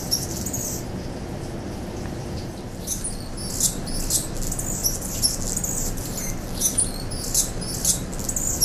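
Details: Mature male Anna's hummingbird, territorial holder for four weeks since mid-August 2009, challenged daily, singing thin scratchy squeaky high notes in quick uneven bursts, including his two extra high squeaks, over a steady low background rumble.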